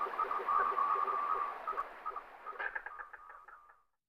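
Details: Common merganser calling: a fast run of grating pulses that turns into a slower, fading series of croaks.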